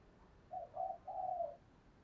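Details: Spotted dove decoy calling to draw out rivals, heard faint and distant over a hissing background: two short low coos, then a longer coo that trails slightly lower.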